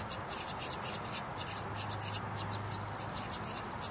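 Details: Begging house wren nestlings inside the nest, seen through glass at feeding time; steady run of high, scratchy rasping pulses, about three to four per second, with a low hum behind.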